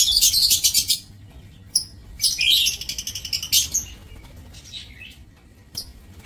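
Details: Aviary lovebirds, 27 March 2024: dense, shrill chattering bursts, a long screechy run at the start and another in the middle, with quieter high squeaks between, over a low background hum.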